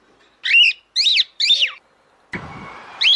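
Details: Three bright, rising-falling whistled squawks from a female cockatiel summoning the male to mate, followed by a burst of broad rustling noise and the start of another call.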